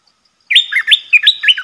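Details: Loud, close red-whiskered bulbul kept as a decoy to lure a territorial wild bird: a rapid run of about six bright, swooping, bubbly whistled notes delivered without a break.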